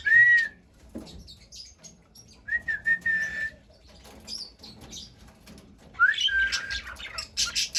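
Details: Cockatiel song heard as scattered whistles: a loud arched whistle at the start, a steady whistle around the middle, and a rising whistle with chatter near the end, separated by quiet gaps.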